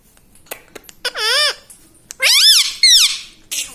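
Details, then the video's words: Talking pet parrot that says "mummy papa", giving loud, shrill squeaky syllables that arch up and then fall in pitch, a few short clicks first, then two strong paired calls and a brief final squeak. "Parrot talking mummy papa"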